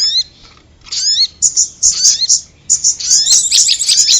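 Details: Prinia used as a sound lure: bursts of high twittering chirps separated by short pauses, with clear rising and falling slurred whistles near the start, then dense chattering towards the end.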